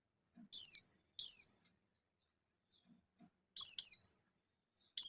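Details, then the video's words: Short, shrill downslurred chirps from a Buxton's white-eye singing to provoke rival white-eyes, given singly and in pairs separated by silent gaps of one to two seconds. "Suara Burung Pleci Buxtoni Gacor Ngalas Nembak Memanggil Lawan"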